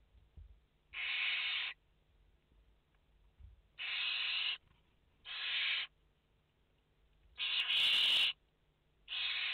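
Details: Five barn owl nestlings, live nest camera, 29 August 2021, give five steady, wheezy hisses spaced one to two seconds apart, one louder with a sharper edge.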